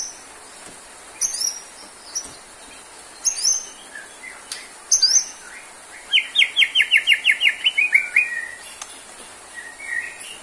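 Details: White-rumped shama, a caged bird heard as therapy for low stamina: scattered sharp high chips, then a rapid rhythmic series of about twelve repeated notes, ending in soft whistles.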